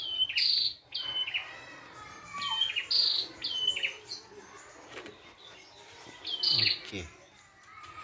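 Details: Red-headed prinia singing in the wild, sharp high whistles falling in steps, with a few clicking knocks and a softer lower call in the background.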